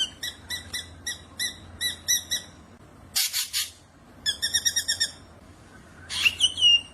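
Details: Wild black drongo song made of rhythmic paired metallic notes repeated about twice a second, then a harsh noisy burst, a quick chattering run of notes, and a final slurred rising whistle.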